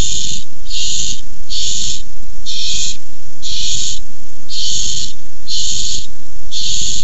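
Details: Nest-cam barn owls in a food fight over a tiny mouse, 6-4-15: eight raspy, breathy hisses repeated regularly, slightly under a second apart, with dull low noise underneath.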